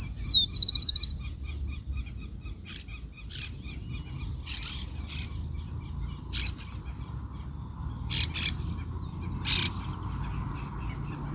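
A Rufous-collared Sparrow sings a high, slurred downward whistle followed by a quick dry trill. Faint high chips from other birds and a low background rumble follow.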